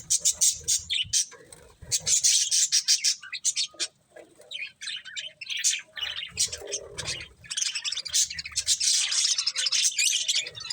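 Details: Several budgerigars chirp while eating corn: dense bursts of high, scratchy warbling chatter, rapid and overlapping, with brief pauses and soft low pecking noises underneath.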